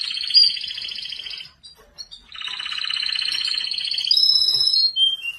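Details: Canary singing a sustained, rapid trilled song of buzzy repeated notes around high pitch, pausing briefly mid-phrase, then resuming with a higher rolling trill and a final short whistled note.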